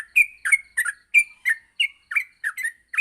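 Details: Training song of a yellow-vented bulbul recorded in the morning for other bulbuls; loud, evenly spaced chirps, about three per second, some with drawn-out whistled tails, in a clear, quiet setting.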